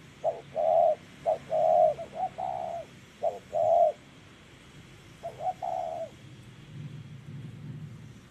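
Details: Spotted dove in a trapping session with a decoy, giving repeated low coos in clustered phrases, each with short notes leading into a longer held coo, with a brief pause before the final phrase.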